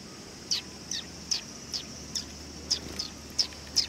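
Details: Sparrows coming for food at a Tenmangu shrine on 18 August 2020 chirp rapidly and fairly evenly, nine short high notes in under four seconds, over a steady high drone and a faint low hum.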